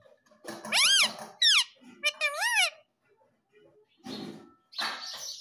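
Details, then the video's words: Talking Indian ringneck parakeet kept in India giving several loud harsh arched screeches and a descending squawk in quick succession, followed by human voices. "Mummy Papa Bolta Parrot || Mitthu Mitthu Bolne Wala Parrot || Talking Parrot"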